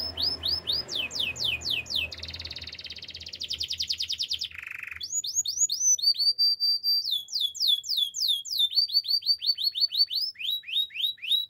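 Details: Caged canary song: rapid high sweeping whistles, a fast buzzy trill and a brief low rolling note, then long runs of bright arched notes repeated several times per second in a quiet setting.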